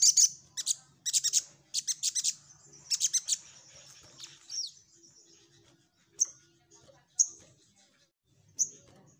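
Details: Orange-headed thrush in lively nyecret nembak singing, for training a group of songbirds: clusters of high rapid chattering notes in the first half, then spaced single sharp chips every second or so, with a faint low hum behind.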